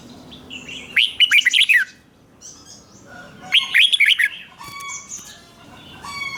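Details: Thai red-whiskered bulbul song in the 'rik' doubled style meant for young birds to learn: two bright rollicking phrases of quick liquid whistles, followed by thin high chips and faint calls from other birds.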